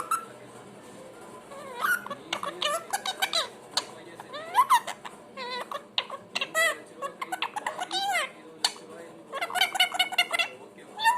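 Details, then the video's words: Pet parrot running through different sounds, mixing rapid squawky chatter, sharp clicks and short bent whistles in uneven bursts throughout. "makes different sounds"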